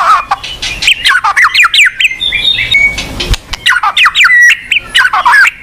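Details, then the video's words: White-rumped shama, a popular cage bird, singing a song meant to prompt a silent bird to sing: varied loud whistled phrases, slurred rising and falling notes mixed with sharp chips, with a short pause mid-phrase. "PANCINGAN BUAT MURAI MACET | WHITE RUMPED SHAMA SONG"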